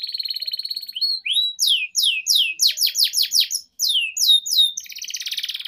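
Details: Canary master song for training young canaries: a buzzy rolling trill, then loud downslurred whistles repeated about three per second, ending in a dense rattling trill.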